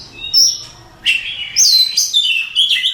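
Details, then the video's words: Contest-winning Oriental magpie-robin delivering clear high whistles, then a loud string of varied chattering and sweeping phrases, each burst a fraction of a second long. "Suara Kicauan Burung Kacer Juara Kontes Cocok Buat Masteran"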